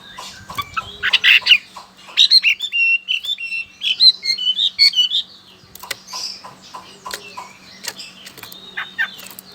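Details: Chinese hwamei, a hard-to-tame bird from China with a loud voice, kept in Sokaraja, Banyumas, Central Java, Indonesia; rich, varied song of quick whistled and slurred phrases over four seconds, then scattered sharp chips and clicks.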